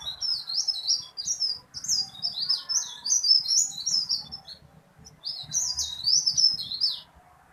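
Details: Small tailorbird singing diligently, its voice loud and long with a rolling quality: a dense run of high chirping notes for several seconds, a short gap, then another rapid high burst.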